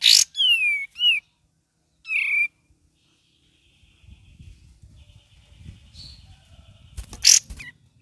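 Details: Cream-vented bulbul, gacor song with ngeriwik twittering: a sharp chip and two downslurred whistles, then a short burst. Low rumbling noise follows, with a final chip and whistle.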